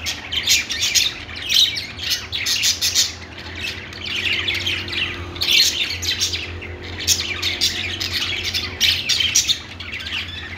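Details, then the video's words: Budgerigars chirping in a pet store: a crowd of high twittering and squawky chirps coming in bursts and swells, with brief quieter gaps between loud clusters and a faint low hum beneath. "budgies calling sounds | parakeet chirping sounds in pet store"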